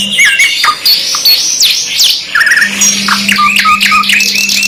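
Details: Luxury canary ('kenari mewah') song from a 2 in 1 master track: quick rising and falling whistled notes, sharp chips and rapid trills crowded together, over a constant low hum.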